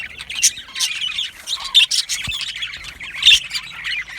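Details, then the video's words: Yellow male budgerigars, Australian parakeets, in an aviary colony, keeping up a dense, continuous high chatter of squawks and warbling chirps from many birds at once, with louder screechy notes now and then. "Beautiful Yellow Male Budgies Birds Chirping sounds"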